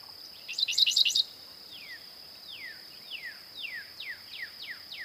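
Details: Dickcissel singing a brisk cluster of four rapid, harsh stuttered notes, followed by a series of softer downward-sliding whistles spaced under half a second apart, with a constant thin high-pitched drone in the background.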